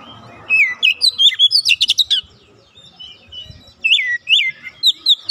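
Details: Raw oriental magpie-robin (kacer bahan) quickly singing along: a dense run of varied whistles and buzzy trills, a pause, then several loud downslurred whistles repeated in quick succession.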